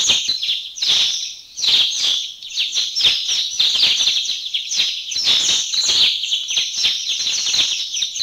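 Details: About 30 mountain bulbuls in one flock in Thailand, a steady chorus of high, bright chirping with clipped downslurred notes tumbling over one another throughout.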